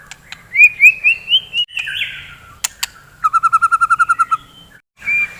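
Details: White-rumped shama singing in the morning, meant to stir fighting birds: a rising sequence of looping whistles, a pause with sharp ticks, then a fast even trill of about a dozen repeated notes.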